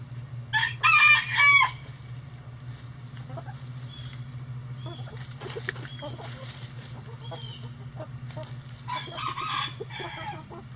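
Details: Backyard chickens give a loud, harmonic squawking burst early on, followed by softer clucks, chatter and a few brief higher notes, over a continuous low hum.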